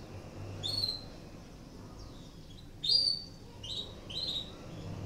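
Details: Canary in breeding condition, recorded as a lure to stimulate other canaries to sing: a few scattered, sharp high chirps and short sweeping notes with pauses between them, over a faint low hum.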